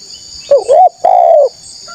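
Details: A single phrase from a spotted dove luring wild rivals: a short wavering coo followed by a longer, smooth, slightly falling coo, with a high insect hum behind.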